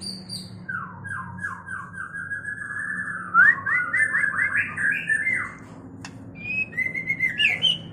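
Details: White-rumped shama in mating condition, a therapy recording: rapid whistled phrases in fast repeated descending notes, then a burst of rising trilled notes, pause, and higher sharp whistles at the end.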